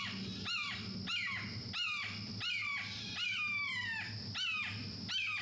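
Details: Red-shouldered Hawk at Mahogany Hammock, Everglades National Park, Florida, calls in loud, harsh, downslurred screams, about seven in five seconds, one drawn out longer, over a low hum.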